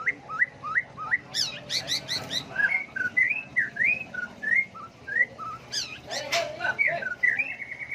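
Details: White-rumped shama song used to goad birds into song duels, constantly shifting voice: a steady series of short rising whistles, about one every half second, broken by bursts of harsh high chattering.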